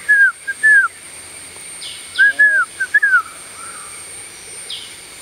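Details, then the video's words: A blue-winged pitta gives clear, slurred whistles in quick pairs, repeated twice, over a steady high insect drone with faint distant chirps. "Blue winged pitta"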